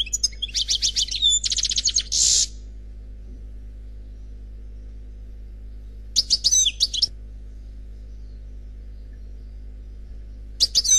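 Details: Khalwi-style singing by a lone European goldfinch: rapid repeated trills and a buzzy rattle open the passage, followed after long silences by two brief bursts of high liquid twittering.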